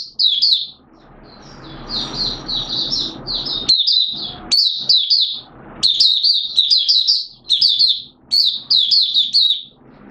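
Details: Malaysian oriental white-eye (mata puteh) singing in Singapore during warm, humid weather with sudden showers, 29 March 2023; high, sweet twittering phrases of quick descending notes, repeated in bursts with short pauses and faint low background hum.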